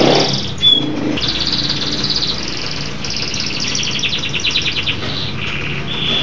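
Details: Local canary with rolling, rapidly pulsed trills and short whistled phrases, somewhat muffled by steady low-pitched background noise.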